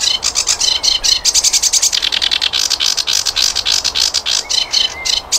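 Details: Flycatcher song as a tutor recording for training cage birds: dense, rapid series of short, sharp, buzzy chips and trills, tumbling irregularly with scarcely a pause.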